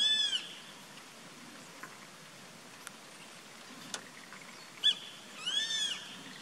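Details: Grey-faced buzzard calling from a treetop, recorded on 14 April 2019: two high, drawn-out whistled calls with faint overtones, one at the start and one near the end, separated by quiet background with a few soft clicks.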